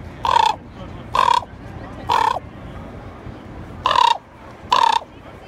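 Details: Common raven in Juneau, Alaska, June 2, 2018: five harsh, grating caws, each about a quarter second long, roughly one per second with a short pause after the third, over faint low rumble.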